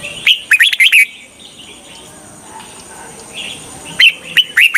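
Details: Lure red-whiskered bulbul for trapping wild birds, heard in quick, bright whistled phrases at the start and again near the end, with quiet faint chatter between.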